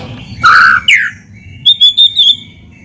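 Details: White-rumped shama lure song: a harsh rasping note and a rising slur, then four clear whistled notes in quick succession.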